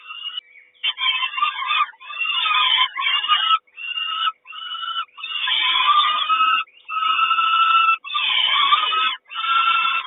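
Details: At the Kawęczyn nest of a peregrine falcon, 3 June 2022, as the mother brings breakfast: a series of about nine harsh, chattering call bursts, each about a second long with short gaps, growing louder midway.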